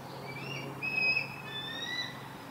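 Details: A juvenile eagle calling for its breakfast: thin, high, drawn-out whistled squeals, slightly wavering and overlapping, against a quiet outdoor background.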